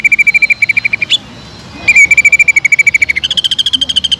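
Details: Rapid even trill of a cucak ijo, the greater green leafbird, in fiery lure song: steady pulsed notes, a brief pause with a sharp upward flick, then the trill resumes and jumps to a higher pitch near the end.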